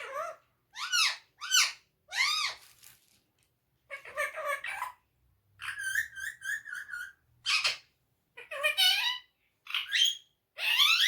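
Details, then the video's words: Speaking parrot saying repeated short Urdu/Hindi phrases: a series of arched, voice-like syllables, then buzzy, stuttered segments and longer wavering words, delivered almost continuously over eleven seconds indoors. "Mitthu the best speaking parrot/ saying Mitthu Bete, Mittu Kittu, mian Mitthu, in urdu/hindi"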